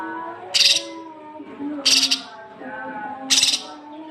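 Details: Cucak kinoi on a training recording meant to stimulate young birds to sing: three loud, raspy, buzzy squawks, each about a second and a half apart, over a soft low tonal hum.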